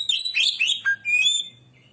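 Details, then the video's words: Lure song of a white-rumped shama (kacer): a short, loud phrase of tumbling whistled and scratchy notes ending in a drawn-out clear whistle, then quiet with a faint low hum. "burung Kacer pancingan suara"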